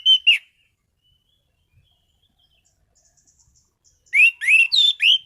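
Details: Caged orange-headed thrush (anis cendana) singing: two quick clear whistled notes, a long quiet pause with faint high ticking, then a burst of four loud rising and falling whistled slurs.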